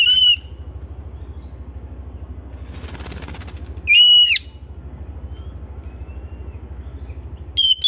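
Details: Oriental magpie-robin kept at home: a clear, steady whistled note opens, another sounds near the middle with a brief hook at its end, and a third begins just as the recording ends, over a constant low hum.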